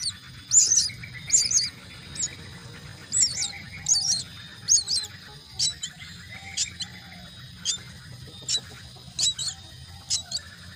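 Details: Begging myna chicks fed at the nest give clustered high chirps early, then thinner, sparser ticks, over a constant high whine and low hum.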